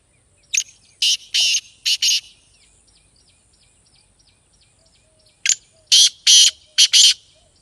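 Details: Black francolin (kala teetar) voice for stirring a captive bird into calling: two bursts of four or five loud, rasping, noisy notes, with faint thin ticking chirps in the gap between phrases.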